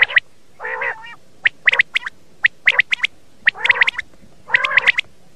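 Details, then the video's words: Common quail calling, used as a lure for morning quail hunting: sharp, liquid three-note bursts repeated about once a second, alternating with low, nasal, growling notes. "Batair ki awaz"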